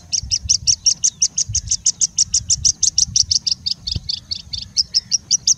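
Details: Singing bushlark in India, singing continuously and mimicking other species: a long steady series of high, rapidly repeated chip notes, about three per second, with slight changes in tone near the end; faint low rumble.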